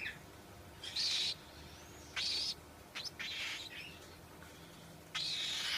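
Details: Cockatiel giving harsh, screechy calls in short broadband bursts, about five over six seconds with quiet gaps between, fairly distant and faint against a low steady background hum.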